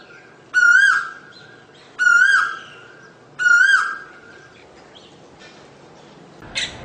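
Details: Asian koel calling three loud upslurred whistles at even spacing, then a pause with a brief low knock near the end.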